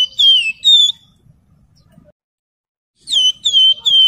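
Javan Fulvetta singing clear, sweet whistled phrases, each note slurring downward, given in two short bursts separated by a brief silence.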